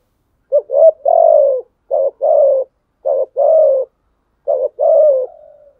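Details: Spotted dove cooing to challenge rivals. Four rapid phrases arrive close together, each a brief hooting pair followed by a sustained, gently descending coo. The last coo trails off softly, and the recording is otherwise silent.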